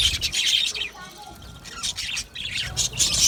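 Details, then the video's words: Colony of Australian budgies in an aviary chirping together; dense, bright high-pitched twittering and warbling chatter from many birds at once, continuous with brief dips, plus a few wingbeats. "Australian Birds Colony | Australian birds Singing Sound | Birds Chirping Sounds"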